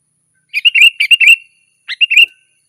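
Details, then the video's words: Sooty-headed bulbul, called kutilang, in lively gacor song meant to call wild birds and train caged birds: a rapid run of bright, liquid chirping notes, a pause, then a shorter matching phrase. "Suara burung kutilang gacor Garuda full gacor dan ngeroll"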